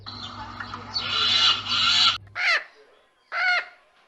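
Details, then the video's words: A goose gives two loud, nasal honks about a second apart, after two seconds of rough rustling noise and low hum. "The sound of familiar birds: parrot, peacock, goose, duck, kova, hawk, pigeon"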